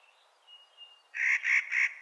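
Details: Three evenly spaced, harsh, grating calls of a Clark's nutcracker in spring, after a faint thin whistle in the background.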